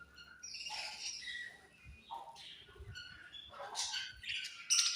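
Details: Australian budgie parrots chirp in a busy stream of shrill twitters, scratchy squawks and quick warbling notes that grow livelier toward the end.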